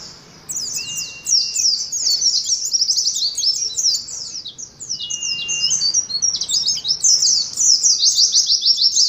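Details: Long, energetic twittering of an Oriental white-eye, intended for at least five caged birds hung together: high chirps in dense overlapping bursts, with two thin level whistles below.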